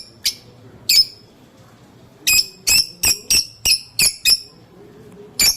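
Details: Lovebird calling sweetly: a rapid run of about seven loud, shrill, clipped chirps in quick succession, framed by a few isolated chirps before and after, over a quiet hum.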